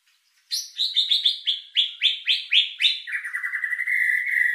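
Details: Lure song of a white-rumped shama with luxurious filler, meant to boost emotion and breeding drive: about a dozen quick, rhythmic downslurred notes, then a steady, rapid trill.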